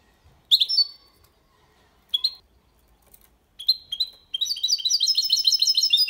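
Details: Faultless Málaga-copy song from a goldfinch-canary mixto, meant to stimulate hens and tutor young birds. Scattered sharp chirps lead into dense, rapid high twittering that lasts to the end.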